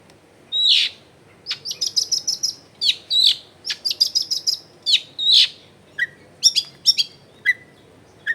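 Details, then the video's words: Long-tailed shrike singing vigorously, recorded at a home in a crowded neighbourhood, used as a lure to get silent shrikes singing: high chirps, a fast run of sharp repeated notes, then short whistled downslurs. "CENDET GACOR BAHAN BUNYI ISIAN MELIMPAH CENDET DIAM LANGSUNG NYAUT EFEKTIF CENDET AGAR IKUT BUNYI"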